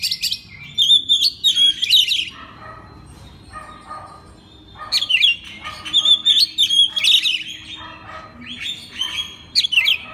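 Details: Master recording of an Oriental magpie-robin to get others singing: recurring bursts of sharp whistles and trills with softer lower chattering notes between them.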